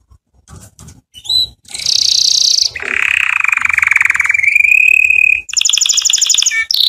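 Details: Canary tutor song for young canaries: short clipped notes and a buzzy high phrase lead into a long rapid trill that rises slightly, followed by fast repeated high notes.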